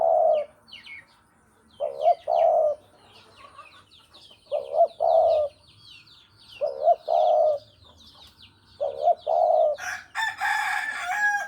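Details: Javan spotted dove recorded as a lure for bird trapping: low soft cooing phrases of two to three hollow notes, repeated every two to three seconds, with faint small-bird chirps behind and a sudden rustling burst at the end.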